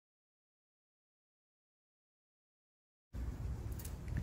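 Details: Three seconds of silence, then low background hiss and faint rumble with no animal sound.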